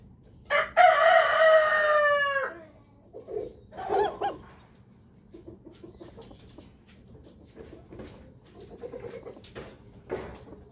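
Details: Rooster crowing in the morning: a loud, rough crow of nearly two seconds with a falling ending, followed by soft clucks and quieter hen-like calls.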